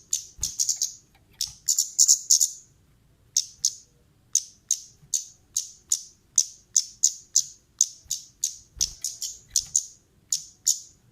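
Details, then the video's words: Lure recording of a female orange-headed thrush calling: bright high chipping notes, clustered rapidly at first, then steadier ticks about three per second after a short gap. "suara pancingan burung Kemade Gacor pedas"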